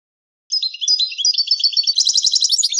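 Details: Goldfinch tutoring song for young goldfinches and hybrids: continuous rapid twittering with rising and falling chirps, shifting into fast repeated trill notes, clean recording.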